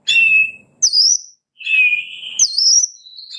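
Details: White-rumped shama song used to prompt caged birds to sing and to restart a silent bird: long clear whistles alternate between a lower held tone and higher wavering phrases, separated by short pauses.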